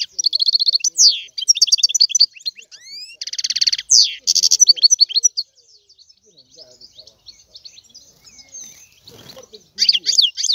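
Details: Lively European goldfinch song: fast twittering phrases, sweeping slurred notes and a harsh buzzy rattle, followed by several seconds of only faint scattered chips before loud twitters return.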